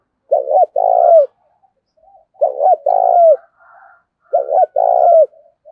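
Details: Spotted dove kept as a decoy bird, calling to prompt others to coo. Three deep, purring phrases, each a stuttering double note followed by a long rolling coo that slurs downward, evenly spaced roughly two seconds apart.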